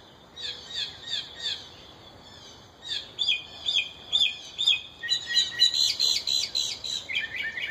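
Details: A yard-dwelling mockingbird pair with fledglings just out of the nest: repeated bursts of high, harsh chirps in quick clusters, pausing briefly, then a dense run of rapid notes, all over quiet background.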